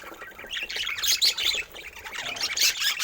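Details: Budgerigars in assorted colour mutations give rapid scratchy chirps and rasping squawks in uneven bursts, loudest around the middle, over softer background twittering.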